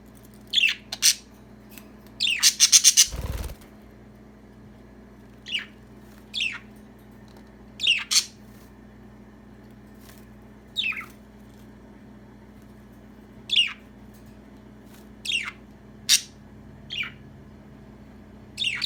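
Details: A female budgerigar being scratched gives short, sharp chirps, each a quick downward-sweeping squeak, repeated at uneven intervals.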